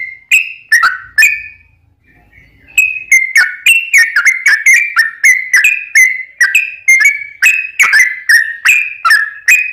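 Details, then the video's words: Sooty-headed bulbul song played to trigger singing in other bulbuls: a few loud whistled notes, a quiet gap of about a second and a half, then a dense, steady series of short bright whistles with clicky onsets. "trucukan gacor ROPEL PANJANG pancingan trucukan agar bunyi"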